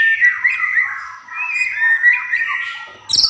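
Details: White-rumped shama kept at home and never entered in contests, delivering a long, sustained, warbling whistled phrase that wavers around one pitch, ending with a sharp, high burst.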